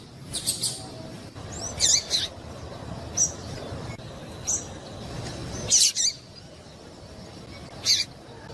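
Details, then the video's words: Calls of a female yellow-bellied seedeater given to excite males into singing: short, high, thin chips and doubled notes repeated at uneven intervals about every second or two, above a faint constant rumble. "fêmea de papa capim chamando muito para esquentar"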